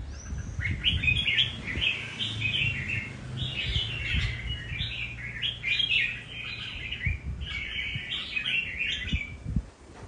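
A red-whiskered bulbul sings bright, bubbly whistled phrases, repeated in quick bursts over a low hum.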